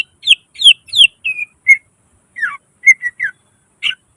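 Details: Cucak ijo, the greater green leafbird, singing gacor with isian mimicry. Downslurred whistles in a rapid row, then sparser clipped chirps and a final buzzy note, against silence.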